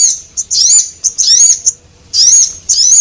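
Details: Lure call of Javan munia, male and female, meant to draw in small birds: high, thin, wavering squeaks in close groups with brief clipped chips, separated by short quiet gaps, on a quiet background.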